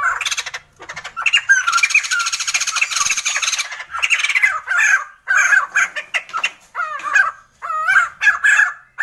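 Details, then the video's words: Sumatran laughingthrush song in loud harsh bursts, a long chattering phrase followed by separated groups of squawky, down-slurred laughing notes with short gaps between. "Sumatran laughingthrush | The sound of birds laughing"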